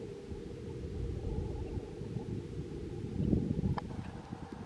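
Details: Continuous low roar of wind and distant traffic, with one brief tick near the end; no animal voices.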